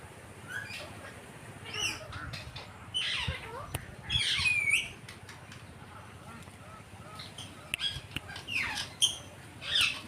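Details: A pet green parrot makes a busy run of scratchy squawks, upward chirps and clicking sounds, some bursts grouped closely, against a hissing room background.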